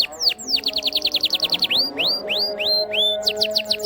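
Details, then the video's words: Canary song for stimulating idle canaries: a fast series of downward-sweeping notes followed by slower, evenly spaced rising whistles, then quick sweeps again. Constant low tones in the background. "masteran KENARI paud pancingan KENARI malas bunyi"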